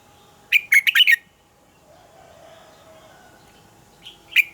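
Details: Red-whiskered bulbul delivering a morning double-note song of a forest-matured bird, used to teach caged birds. A fast phrase of several bright whistled notes, a pause, then another phrase begins.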